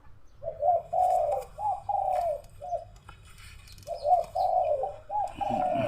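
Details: Dove calling on a hot early afternoon with rain threatening: two series of low, hollow coos, each a run of four or five sustained notes separated by a pause, with faint high chirps and some rustling.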